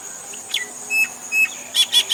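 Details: Common myna from India giving a varied mix of short whistles and squeaky notes, ending in three rapid harsh bursts, over a constant high-pitched insect hum.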